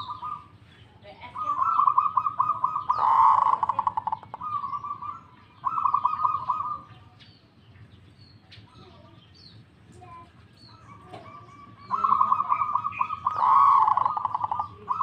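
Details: Local zebra dove singing actively: two long bouts of rapid, level, bubbling coo trills, each building to a louder rolling centre, separated by several quiet seconds with faint background noise.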